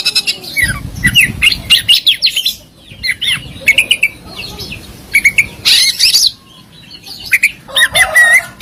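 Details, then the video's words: Competition Oriental magpie-robin masteran with rich fills and sharp shots: rapid sequences of harsh squawky notes mixed with clear whistled slurs, delivered in clustered bursts with brief gaps. "Masteran Mewah Burung Kacer Full Isian Dan Tembakan"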